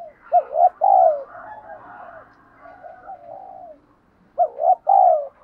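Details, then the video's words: Spotted dove used to train decoy birds, cooing in low, mellow paired notes: two strong coos, a stretch of soft drawn-out cooing, then another loud pair of coos at the end. "Luyện cu gáy mồi gù mỏi cổ vơi vdeo này/ cu gáy thúc gù"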